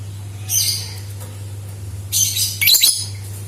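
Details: Lovebird sound used as a lure to prompt other lovebirds to sing: two shrill, harsh, buzzy bursts, the second longer and broken into rapid chirps, over a steady low electrical hum.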